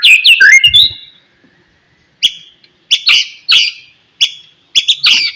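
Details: White-rumped shama in the morning, singing to stimulate other shamas: a burst of varied whistles, a silent gap, then short sharp chipping notes repeated about every half second.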